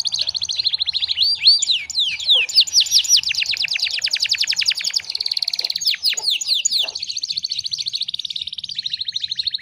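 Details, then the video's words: Long canary song meant for tutoring other canaries: fast repeated downslurred notes in rolling trills, shifting into quicker buzzy chatter and a steady high rattle near the end. "MASTERAN KENARI GACORR PANJANG"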